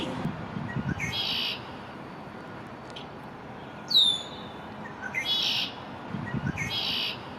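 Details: Immature male Red-winged Blackbird in his first spring, new to a downtown backyard, on May 1, 2024, singing to defend his territory: three buzzy trilled bursts a few seconds apart, one sharp falling whistle, and a hissy background.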